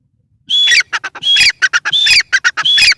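A female Grey francolin calls loudly, giving harsh, ringing phrases of clipped notes, each led by a thin high whistle and repeated about every 0.7 seconds.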